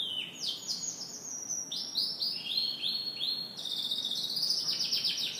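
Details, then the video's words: Canary in full morning song: rapid downward-sweeping chirps running continuously into a dense, very high buzzy trill. "Canary Morning Singing"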